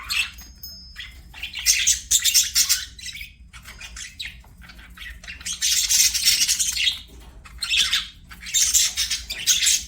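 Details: Budgerigars singing while playing: bursts of dense, scratchy high chatter that come and go every second or two, separated by short quieter gaps.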